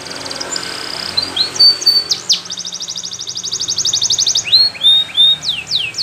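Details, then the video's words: Belgian canary training song: hissy background, then clear whistled glides and a steady rapid trill, closing with bright rising and descending swoops. "Belgian Canary Singing For Training"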